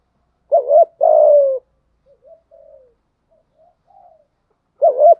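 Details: Decoy spotted dove calling to entice wild doves, delivering a double rounded coo and a long buzzy descending note, then faint soft cooing fragments and another loud double coo at the end.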